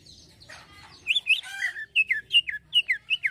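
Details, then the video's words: Greater green leafbird in full 'isian halus' fine fill-in song: scratchy chattering notes open, then a steady string of rapid, evenly spaced whistles, each dipping in pitch, about three per second. "ISIAN HALUS CUCAK IJO GACOR"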